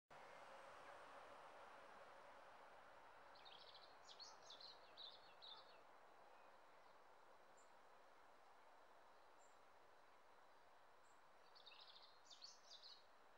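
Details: A dunnock on 29 May 2018 gives two quick, high, jumbled warbling phrases about seven seconds apart, with a few thin ticks between, over a steady rushing background roar.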